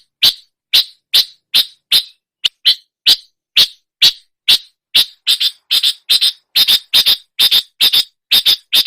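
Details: Long-tailed shrike imitating other songbirds: sharp, clipped high notes repeated about twice a second. They grow denser and harsher, doubling into rasping pairs toward the end. Clean recording with no background sounds.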